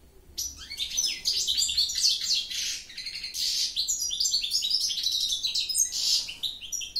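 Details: Goldfinch singing a continuous rapid twittering song of high, tinkling, buzzy notes and quick trills, with no pauses across the stretch and a faint low hum underneath.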